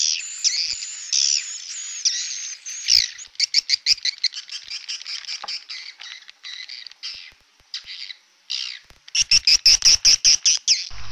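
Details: Edible-nest swiftlet lure sound in PJW old style, used to draw swiftlets to nesting houses: drawn-out shrill twittering notes give way to rapid ticking chirps, fading quieter, then a loud regular burst of sharp high chirps at the end.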